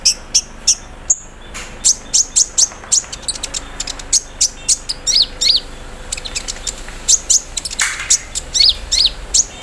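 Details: Morning song of a caged olive-backed sunbird set in the dew, full of embroidery-machine mimicry delivered 'cerrr'. Long series of rapid high ticks and sharp down-slurred chirps, bunching into fast trills toward the end.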